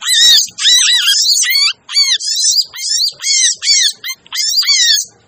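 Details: Lure sound for crimson sunbirds that are hard to attract: rapid squeaky, buzzy chatter broken into short phrases, with a curving lower whistle in each phrase and brief gaps between.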